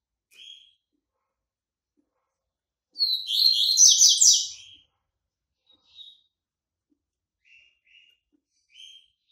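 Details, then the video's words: Yellow-bellied seedeater, white-breasted Bahian bird coming out of moult, with scattered short chip notes, then a loud rapid trilled burst of about two seconds, followed by more spaced single chips. "COLEIRO BAIANO PEITO BRANCO SAINDO DE MUDA, CANTASSO"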